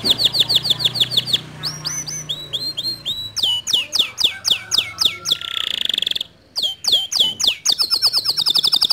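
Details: Canary song used to stir a quiet canary into singing: rapid series of high swooping whistled notes, buzzy trills and rolling phrases that change every second or so, with a loud steady trill near the middle.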